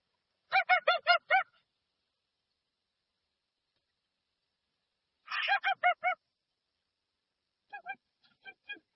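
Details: Unprocessed recording of a dusky-legged guan: a fast series of five harsh, goose-like honks, then a second burst of similar notes, and finally a fainter, more distant string of honks trailing off.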